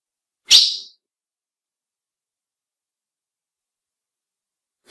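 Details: Female ultramarine grosbeak giving a call that males recognise and that is meant to excite them: one sharp, bright chip near the start, then silence, with another chip cut off at the very end.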